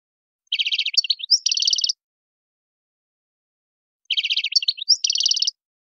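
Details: Song of a wild European goldfinch: two matching phrases a few seconds apart, each a buzzy trill, a quick rising note, then another buzzy trill, set in silence.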